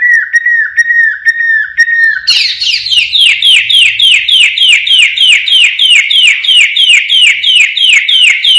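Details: Blorok white-rumped shama in lively song, delivering the siren-shot style: a few level whistles, then a fast, even run of bright descending whistled notes, about three per second, sustained to the end.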